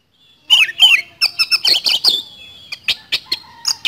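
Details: Oriental magpie-robin singing in the rapid 'nembak speed roll' style: two downslurred whistles, then a quick run of buzzy chattering notes, followed by scattered sharp single notes.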